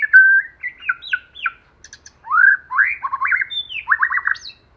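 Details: Singing white-rumped shama, lure bird for provoking rivals, in a forest-style song: fluty whistles, quick descending slurs and clustered chattering notes in lively, irregular phrases, with a clean, quiet background.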